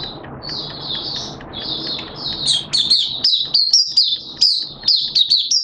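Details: Hobby-kept Malaysian white-eye giving its open song in June 2023: soft high warbled notes at first, building into fast, loud, sharp twittered chirps toward the end.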